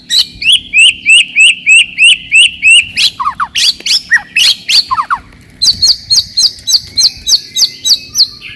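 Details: White-rumped shama song to raise rivals' aggression and test young birds: rapid repeated rising chirps, a tumble of descending notes, then another fast train of high chips in close succession.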